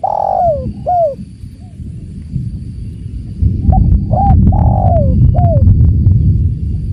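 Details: Spotted dove, called tekukur, with a long falling coo and a clipped note, then another coo phrase as loud rushing water rises and partly masks it.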